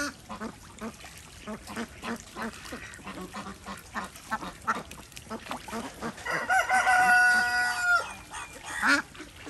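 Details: Indian desi ducks enjoying a swim in a farm pond in an Indian village; quick soft clicks and patters repeat steadily, then a loud, drawn-out nasal call bursts in near the end.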